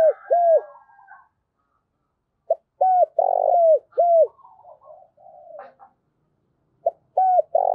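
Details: A decoy dove gives low, hollow coos in short repeated phrases, a standard calling coo used to stimulate and train rival males.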